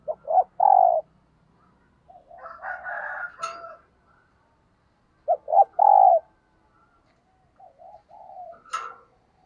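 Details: Thúc gù cooing from a spotted dove used as a decoy to attract wild doves: two loud short-short-long bursts separated by softer, scratchy coos and sharp clicks.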